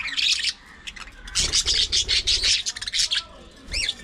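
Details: Pet budgerigars, several together, going about their daily routine: bright, busy warbling chatter in long runs, with a few clear rising-and-falling whistled notes near the end.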